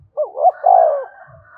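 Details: Single spotted dove phrase meant to lure other doves: two quick hooked low notes and a longer smooth falling coo, with a faint higher drawn-out tone behind it.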